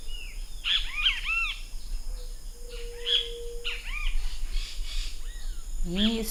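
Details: Great kiskadee, found in Brazil, giving harsh arched notes in short bursts, with a steady low hum in the middle and a lower-pitched wavering sound at the close.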